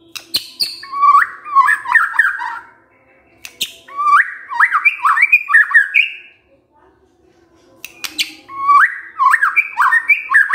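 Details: Emotion-stirring kretekan from a white-rumped shama. Three bursts of quick chattering, rapidly slurred notes, separated by short pauses and interspersed with sharp clicks, over a faint low hum.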